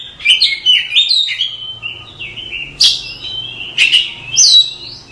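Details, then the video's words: Kacer (Oriental magpie-robin) masteran song for training caged birds: clear rich whistles sliding up and down, bursts of sharp rising notes, continuous rapid phrasing over a faint low hum. "Suara Masteran Kacer"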